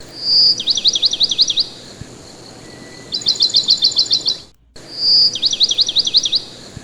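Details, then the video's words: Owner talking to a pet parakeet that answers with high chirps: a short shrill whistle leading into quick zigzag trills, a pause, a second fast chirp series, then the whistle and trill again. "Talking to my bird the bird tweets"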